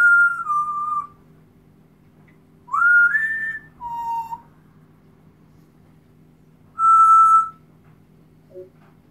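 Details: Timneh African grey parrot singing with clear whistled notes: a falling two-part tone, a rising slurred whistle, a lower short note, a pause, then one steady mid-pitched whistle, and a faint squeak at the end.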